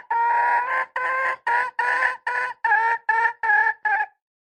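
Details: Red junglefowl hen utters a steady series of about ten loud, raspy, harmonic squawks. They come roughly every half second and grow slightly shorter towards the end, then silence.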